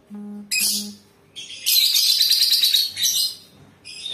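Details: A low electrical hum, then a lovebird breaks into fast, continuous, scratchy high-pitched twittering lasting over two seconds.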